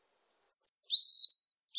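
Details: Fragment of varied tit song: high whistled notes dropping to a lower steady whistle, then more high notes, brief and clear.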